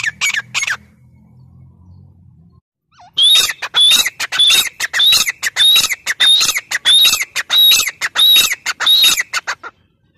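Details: Grey francolin (teetar) call: after a low hum and brief notes, a long steady run of about twelve loud, harsh, whistled phrases repeated at even intervals, just under one per second.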